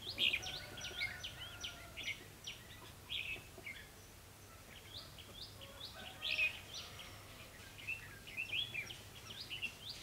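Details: Red-whiskered bulbul used as a decoy bird for trapping, recorded 28 October 2016; rapid bright whistled phrases of rising and falling notes, clustered in bursts across the whole stretch, with faint background noise.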